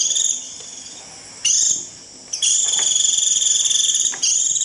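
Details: White-eye's 'rít' call for drawing in a flock: shrill, fine-textured buzzing trills of uneven length, the longest running nearly two seconds, broken by brief quiet gaps.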